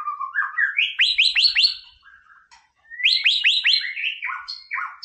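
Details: White-rumped shama song, a masteran recording meant to provoke a rival's aggression: rising whistled notes climbing in steps, then bursts of sharp downslurred chips repeated in quick runs, a short pause and the pattern again.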